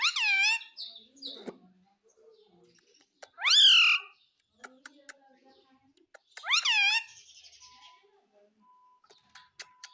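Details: Pet talking parrot (tota) said to say mummy and mitthu: three loud nasal utterances, each a rising-falling harmonic arch about half a second long, separated by quiet gaps with small clicks and taps.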